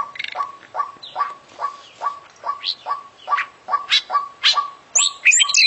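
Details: Champion oriental magpie-robin singing energetically in a full fill-in style: a low clipped note followed by an upward sweep, repeated about three times a second. A burst of higher, twittering phrases comes near the end.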